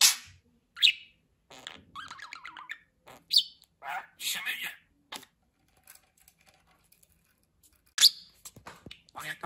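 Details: Budgerigar talking in scattered bursts: raspy speech-like syllables, high chirps and a sharp squeak, with quiet pauses between phrases.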